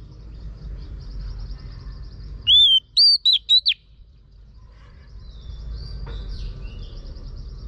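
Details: A female Oriental magpie-robin rouses a male to sing with a crisp run of five whistled notes, one arched, then quick slurred ones; softer chirps and a low hum surround it.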